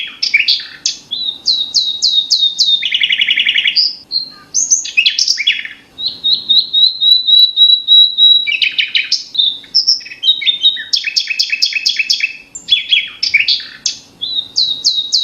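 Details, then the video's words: Small songbird locally called Flamboyan, with a loud, melodious voice, recorded 2 July 2021 in Indonesia, pours out a fast, varied song of high chirps, buzzy trills and repeated whistled notes with short pauses between phrases. "Flamboyan eh..eh..eh.. Flamboyan"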